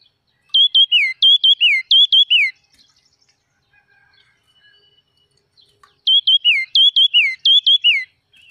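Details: Red-whiskered bulbul of the forest, singing a series of three whistled phrases, each two clipped notes and a falling slur, then about three and a half seconds of near silence before the same series repeats.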